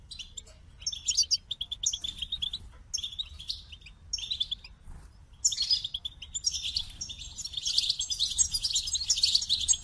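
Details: Goldfinch starts with scattered short chirpy phrases, then launches into a long, dense stream of bright, buzzy twittering.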